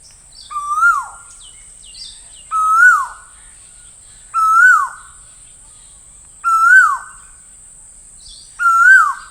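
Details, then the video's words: Five ringing, upslurred whistles from an Asian koel, each swelling and dropping off at the end, repeated roughly every two seconds against a quiet background. "Asian Koel Master Sound - Asian Koel Sound Effect"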